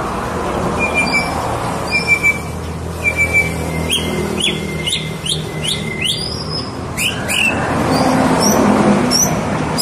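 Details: Tame white-rumped shama: a string of clear whistled notes followed by rapid repeated sharp upsweeping chips, set against constant rumbling background noise that grows louder toward the end.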